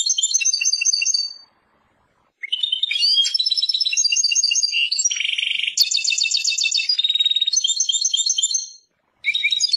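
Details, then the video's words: European goldfinch, described as Persian, singing a long, fast twittering song of bright buzzy trills, chattering notes and tinkling phrases, broken by a short pause near the start and resuming again at the end. "Persian goldfinch songs اواز سهرهاي اروپاي"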